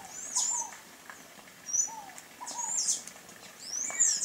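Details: Sayaca tanager calling with sharp, high, slurred squeaks in short bursts, alongside soft, lower, falling whistled notes repeated between them.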